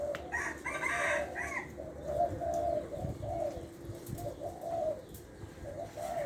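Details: Spotted dove used as a decoy in Lopburi, Thailand, medium-voiced with a one-kuk pattern, producing steady low coos throughout, opened by a brief louder harmonic sound, with background hum.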